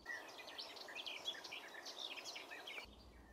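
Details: Plain brown garden warbler singing beautifully at the Zouweboezem, Netherlands, a fast warbling murmur some liken to a quick blackbird; dense run of rapid chirps and short whistles for under three seconds, then it stops abruptly.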